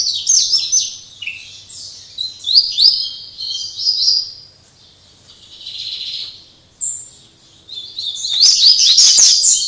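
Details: Double-collared seedeater at a breeder in Jaboticabal, São Paulo, Brazil, in late afternoon after singing all day: a rapid, high, twittering song of sweet trills and chirps with short pauses, rising into a denser burst at the end.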